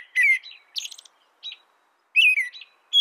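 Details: Two loud, rich whistled phrases from an American robin, sliding downward, with softer high chirps and a faint note between them in a brief snippet of song.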